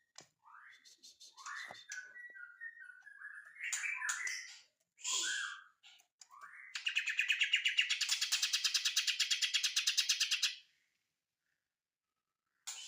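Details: Leafbird, called ijo mini, singing a varied song of whistled slurred notes and mimic-like phrases, then a long rapid buzzy trill of rapidly repeated notes lasting about four seconds, ending in silence.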